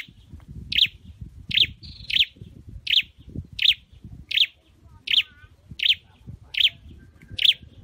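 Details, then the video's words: Caged Scarlet-headed flowerpecker under singing training calls a sharp, high chirp at a steady pace of about one every 0.7 seconds, ten in all, above a low rumbling background. "Deep red-headed birds(Dicaeum Trochileum): Birds thoroughbred training for singing chirped"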